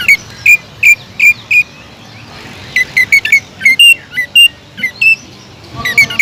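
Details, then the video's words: Greater green leafbird singing to provoke other leafbirds, sharp whistled notes delivered in quick bursts, a short pause, then a varied series of higher and lower clipped whistles. "TEMBAKAN PEDAS CUCAK IJO GACOR BUAT MANCING CUCAK IJO LAIN AGAR JAMTROK"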